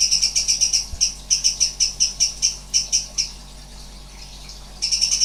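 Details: Sooty-headed bulbul (cucak cungkok) firing off strange 'nembak' notes: a long series of sharp, high, evenly spaced pulses, about three per second, a second of silence, then the pulses restart briefly.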